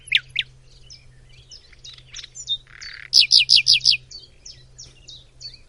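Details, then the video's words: Common nightingale (bilbil) singing in Macedonia: scattered short chirps, then a loud run of five rapid, evenly spaced high notes, followed by softer varied twitters; a steady low hum underneath. "BILBIL - Nightingale"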